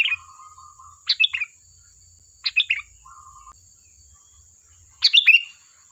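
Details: Lively sooty-headed bulbul song, played to lure other birds into replying: quick bubbly phrases of three or four warbled notes, with brief soft flat tones between them, over a constant high-pitched hum and soft low thuds.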